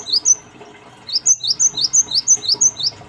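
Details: Cinereous tit, lure recording used to draw out other tits: sharp high downslurred notes in quick runs of about three per second, a short burst then a longer steady series after a pause.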